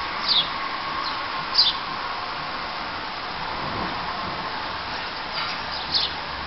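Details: A house sparrow in the town of Llanrwst, North Wales, on 7 November 2009 gives a few short, bright chirps spaced irregularly a second or more apart, over a steady hiss of traffic-like background noise.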